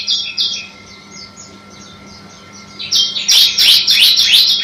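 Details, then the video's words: Singing bar-winged prinia (ciblek) from a masteran track: a few clipped high notes, a quieter stretch of faint twitters, then a loud burst of fast, buzzy, sweeping chirps. "Masteran CIBLEK AMPUH"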